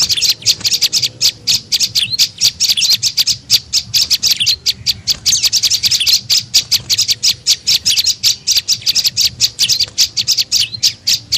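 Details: Prenjak lumut (tailorbird) lure call used to attract birds: dense, rapid high chirps repeated almost without pause, sharp ticking notes with a faint low hum beneath.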